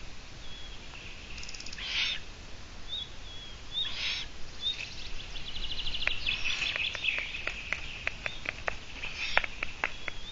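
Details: Eurasian eagle-owl on a livestream on 17 June 2017 around midday, giving harsh, hissing rasps about two seconds apart, then a run of quick dry clicks; thin whistles of small birds and a low rumble underneath.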